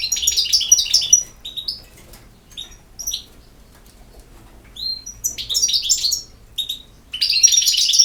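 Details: Bursts of fast, high-pitched chattering from a European goldfinch, mixed with clear whistled upslurs and liquid twitters, separated by silent gaps of one to two seconds.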